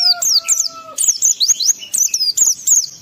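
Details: Oriental white-eye in energetic ngalas-style song, used to stir emotion and breeding urge in other white-eyes: rapid high, thin, sliding chirps in quick bursts, with a steady lower whistled tone underneath during the first second.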